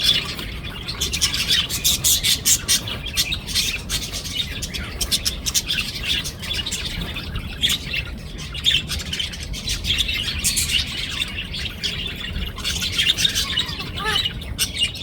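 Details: A pair of budgerigars, filmed 17 December 2024 at 6:40 (winter time), chatter steadily in quick, scratchy chirps and high warbling squeaks.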